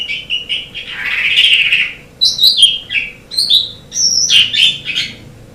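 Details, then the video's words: On a long tutor recording for training songbirds, an Asian pied starling gives a long raspy warble, then short bursts of high whistled and chattering notes, with a faint steady hum throughout. "Ocehan Suara Burung Jalak Suren"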